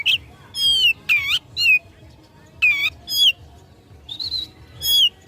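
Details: Oriental magpie-robin singing to provoke rivals in a fight: loud, separate whistled phrases with sharp upward and downward sweeps, spaced by short silences.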